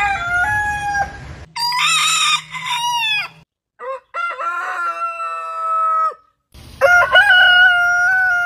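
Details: Roosters of heritage chicken breeds crowing in turn, each crow a harmonic call held level and then dropping off, several distinct voices with short gaps and hard cuts between them.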